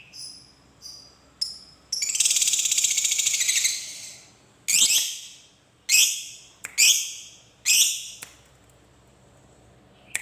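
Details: Lovebird of the fighter type giving its long ngekek trill: harsh high squawks, then a buzzy rapid trill of nearly two seconds, followed by several loud rasping squawk bursts and a few sharp clicks.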